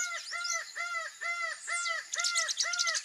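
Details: Laughing falcon (Herpetotheres cachinnans), known in Brazil as acauã, giving its song, which Brazilian folklore treats as funereal: loud, hollow, arched notes repeated quickly, about seven in three seconds, over high chirping from other small birds.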